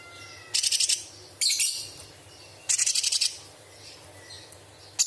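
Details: Straw-headed bulbul training song, said to carry mimicry of small and large birds and insects: three loud bursts of fast, high stuttering pulses about a second apart, separated by quieter faint notes, over a low electrical hum.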